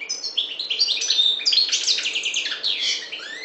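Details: Goldfinch, parva race from the Maghreb, pouring out a dense tinkling stream of high chirps, slurred whistles and quick trills without a break.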